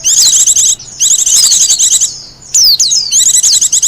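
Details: Wild Japanese white-eye song, used as a lure and master song: loud, very high twittering phrases of fast chirps and thin falling whistles, delivered in bursts of about a second with short pauses between.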